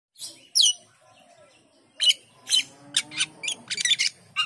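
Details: Asian pied starling singing: scattered harsh chirps and upward-sweeping whistles, bursts spaced irregularly, some quick rattling notes near the end.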